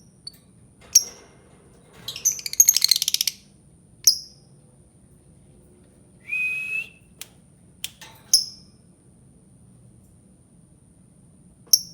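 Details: An albino lovebird gives scattered, very high, sharp chirps, a rapid buzzy rattle, and a short nasal squeak, separated by quiet pauses.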